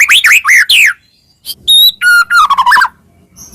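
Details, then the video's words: White-rumped shama singing hard, used as a master song to stir other shamas; looping slurred whistles, a pause, then a clear note, a quick chattering burst, a descending run of notes and a faint high tail. "burung murai cocok untuk masteran gacor isian banyak"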